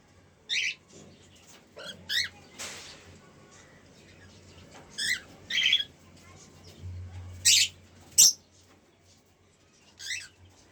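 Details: A pair of cockatiels gives short harmonic chirps and squawks, scattered irregularly, some in quick doubled bursts, with sharp clicks and a low hum underneath.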